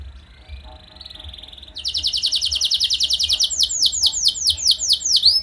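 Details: Canary singing used as a lure to draw song from other canaries: a faint thin whistle, then a loud fast trill of repeated high notes turning into looping descending sweeps.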